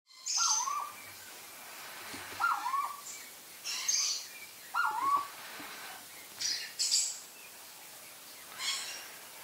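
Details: A female purple-throated fruitcrow, all black and kept in a zoo, gives three mellow, down-slurred whistles about two seconds apart, mixed with sharper high-pitched notes.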